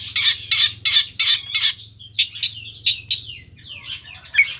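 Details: Long-tailed shrike, Pemalang, Central Java: five loud harsh squawks in a steady series, then a softer flow of sliding whistles and chirps, part of its isian sekebon song, over a faint low hum.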